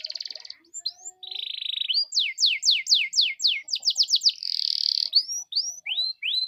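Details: Canary singing to provoke other canaries into song, opening with a buzzy rattle and a low churring roll, followed by crisp falling whistles that accelerate into a quick series, a dense trill and rising chirps.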